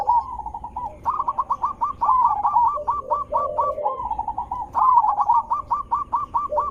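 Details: Continuous zebra dove song used to lure rivals into answering: long chains of rapid, evenly spaced clipped coos with lower rolling notes mixed in, hardly pausing.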